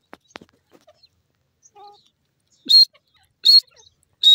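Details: Grey francolin, called dakhni teetar, gives loud, high, strident notes repeated roughly every 0.8 seconds near the end, after a quiet stretch of faint clicks and a soft low hum.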